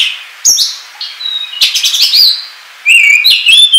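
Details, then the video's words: Oriental magpie-robin 'ngobra' lure song: a sharp high note, a level sustained whistle, a buzzy rattling stretch, a quiet gap, then loud bright warbling whistles rising and falling. "SUARA PIKAT KACER NGOBRA"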